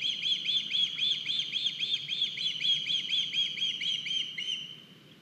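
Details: Osprey at a nest in Estonia on 9 August 2021, as one of the young arrives with a big fish: a steady run of sharp whistled chirps, about four per second, slowly fading toward the end.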